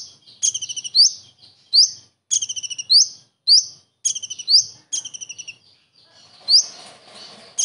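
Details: Common iora delivering kingfisher-style imitation phrases, recorded as a master for training birds: stuttering high trills, each ending in a rising whistled slur, phrases about once per second, faint rustling near the end.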